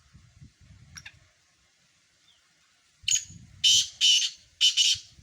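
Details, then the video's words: Black francolins: after a quiet stretch with faint scattered sounds, a harsh, grating burst of four rasping notes arrives in quick succession near the end, over a low background rumble. "مکس کالے تیتروں کی مکس آوازیں"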